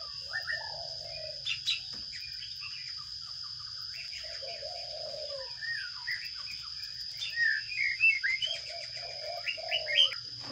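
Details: Sparrow chicks being fed by a parent in a nest box, filmed with a placed camera: bursts of short high chirps and squeaky calls, busiest near the end, with a steady high electronic whine and low hum throughout.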